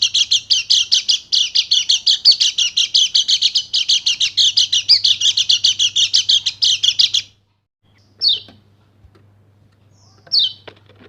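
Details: Bali white-eye in rapid-fire 'nembak' song, meant to rouse silent birds: seven seconds of fast, high, chattering notes stop abruptly, followed by silence and two single descending chirps.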